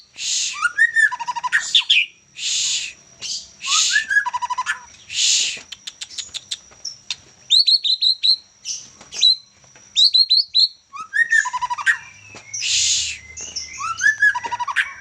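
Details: Young white-rumped shama of the Medan type in lively continuous song, mixing repeated harsh buzzy bursts with descending whistles, rapid trilled runs and clusters of sharp rising notes; a faint low hum appears near the end.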